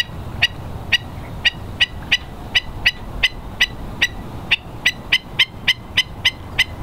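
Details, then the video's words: Several Hawaiian stilts (Himantopus mexicanus knudseni) at low tide on the West Loch shore of Pearl Harbor, Oahu, March 2013; a long, rapid series of about eighteen sharp, nasal yapping notes, accelerating toward the end. "Hawaiian Stilt, ae'o, Himantopus mexicanus knudseni"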